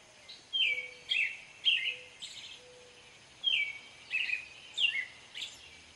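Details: Whistled phrases of an American robin, bright slurred notes in runs of three, then a pause and more; faint low tones sound underneath.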